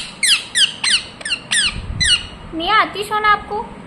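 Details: Five sharp, high, downward-sweeping shrieks from a pet ringneck parrot, then a softer, wavering, talking-like warble.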